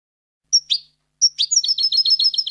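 A European goldfinch sings bright, high liquid notes, then a quick tinkling run of about ten repeated twittering phrases; no other sounds.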